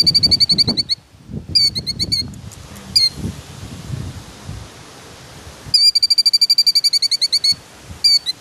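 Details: A female killdeer guarding her nest gives shrill, rapid, piercing notes in quick bursts, pauses, then a longer fast run of sharp calls, over low rumbling wind or handling noise.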